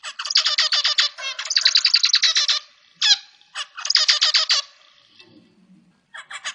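A zebra finch sings rapid bursts of nasal, buzzy notes, stacked and repeated in quick chattering runs.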